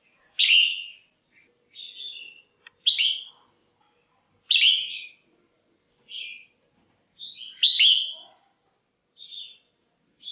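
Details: Red-whiskered bulbul female, caged, calling to attract males or for pairing: loud, sharp whistled notes given singly or in small clusters every one to two seconds, alternating with softer short notes. A faint low chatter comes near the end.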